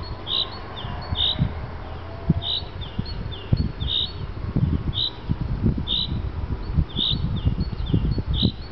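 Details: Afternoon lure calls of a common chaffinch, short sharp high notes repeated steadily about twice a second, with frequent low thuds and rumbling handling noise underneath.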